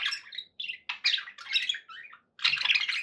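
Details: Pet budgies giving quick scratchy chirps and whistled warble notes in short bursts, ending in a dense loud squawky flurry.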